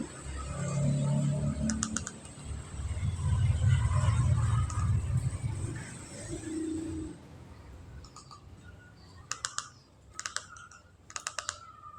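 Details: Low muffled voices fill the first half, followed by sharp, repeated clicking like typing, with no animal calls.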